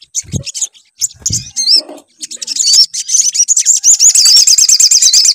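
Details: Sunbird lure song meant to prompt a bird to sing: scattered high chirps and soft low thumps at first, then from about three seconds a fast, continuous, shrill twitter of quickly repeated sweeping notes.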